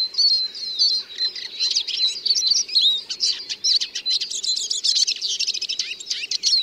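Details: Eurasian siskin pouring out a sustained, high twittering song, with brisk chattering notes and trills and the occasional slurred wheeze, almost without a break.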